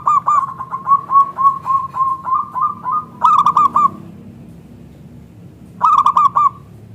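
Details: Local zebra dove in full song, its thick, clear voice meant to make other zebra doves answer: a long, steady string of about fourteen soft coos, then two louder, rapid phrases of staccato, rolling notes separated by a quiet pause.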